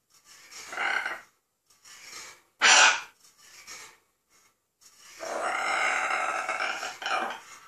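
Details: A 16-year-old pet macaw laughing and making demonic noises: breathy, hoarse, laugh-like bursts separated by pauses, one sharp harsh hiss near the middle, then a long raspy growling outburst.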